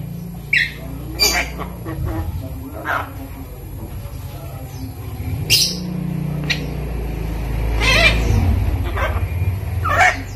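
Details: A five-month-old hand-reared pet Javan myna learning to talk, being taught phrases like Assalamualaikum and coughing, gives scattered short scratchy chatters and squeaky speech-like notes at an uneven pace over a steady low rumble.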